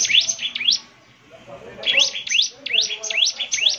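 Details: Ciblek semi (bar-winged prinia) singing in gacor style, said to coax replies: a pair of sharp rising sweeps, a one-second pause, then five more bright upward-slurred notes in quick succession.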